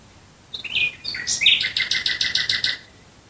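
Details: Nightingale singing at night near Dresden, Germany: a loud phrase opening with clear varied whistled notes, then a rapid run of about ten rattling, repeated high notes delivered in quick succession, over a quiet background.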